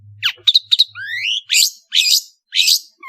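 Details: Varied song of a long-tailed shrike from Madura. Sharp clipped notes lead into a long rising whistled slur, then three broad harsh rasping notes, with a low hum at the start.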